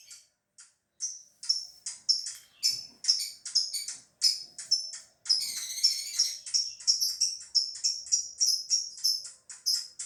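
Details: Caged lovebird from Gresik, East Java, Indonesia, singing on opening of its cage cover: high chattering notes in quick bursts, then a sustained buzzy trill around the middle, followed by more repeated short chirps.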